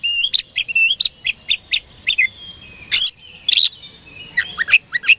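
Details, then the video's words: Oriental magpie-robin song used to provoke rival birds into answering: rapid run of sharp, bright whistled notes and short rising slurs, closely repeated, then a louder burst and a few quick high phrases. "PANCINGAN KACER HARIAN 🔥 Super GACOR Ampuh Bikin Lawan Cepat Respon"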